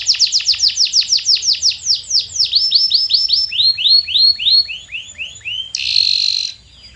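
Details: Training lure of canary song to make silent birds sing: a brisk run of steep downslurred notes, a slower series of rounded rising-falling whistles, then a short harsh buzz before quiet.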